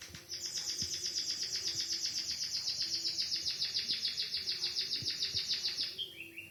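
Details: Canary-like song from a white-headed munia taught a canary fill-in: one long, fast, high trill of rapid repeated pulses sustained for over five seconds, ending in a few lower, quicker chirped notes.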